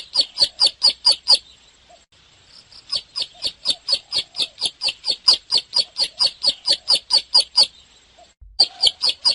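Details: Bar-winged prinia song of rapid, piercing chirps repeated roughly four times a second in long bursts, with short pauses between series and a quiet background.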